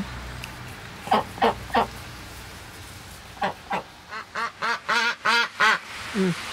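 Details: Two pet domestic ducks kept at home give a quick burst of three nasal quacks, then a run of about eight loud, harsh quacks at a steady pace, with low background noise.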